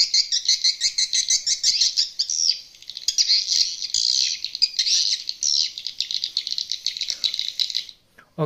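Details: Lure call of edible-nest swiftlets, an old unedited stereo recording played from an amplifier and tweeters to attract birds to undeveloped swiftlet houses. Dense, rapid high chattering in rattling runs with a short dip midway, then ending abruptly.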